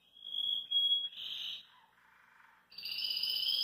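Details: At a kitchen sink, a relaxed Belgian canary sings a clear level whistle, then a buzzy burst, goes quiet briefly, and resumes with a loud sustained rolling trill.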